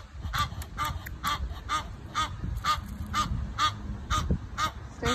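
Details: Egyptian geese going crazy over a squirrel invading their space, giving loud repeated nasal honks about once a second, steady and insistent, with low background rumble and a faint voice.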